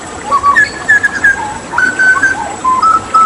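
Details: Hooded butcherbird of Papua, a gifted mimic, singing after water therapy: a sequence of pure, clear whistled notes at varied pitches, some level and some slurred, separated by short pauses.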